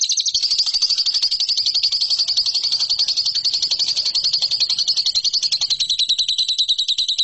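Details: Lovebird training song for competition birds: a sustained, fast, high rattling trill held for the whole stretch without a break, slightly dropping in pitch near the end.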